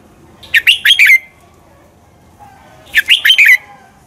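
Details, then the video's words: Red-whiskered bulbul giving a fighting song for training: two brisk phrases of rapid, slurred whistles, roughly two and a half seconds apart, over low background noise. "luyện chào mào căng lửa, chào mào hót đấu"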